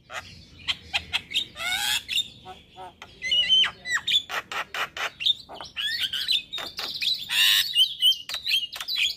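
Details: A male Javan myna sings hard in the morning, full of fill-in phrases: fast clicking ticks mixed with harsh rasping bursts and short squeaky whistles, delivered in a rapid, uneven stream.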